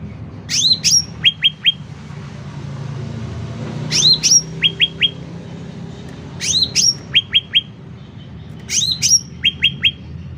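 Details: Phrases of sooty-headed bulbul song roughly every two to three seconds, for training or luring birds: two sharp rising notes followed by three brisk chips, with quiet background between.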